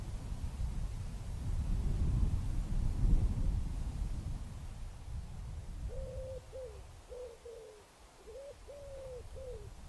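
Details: On 5 May 2017 around 17:00, among cliffs and oaks, a wood pigeon perched on a juniper listens to a rival singing not far off; soft hollow coos in short rhythmic groups follow a stretch of low wind rumble.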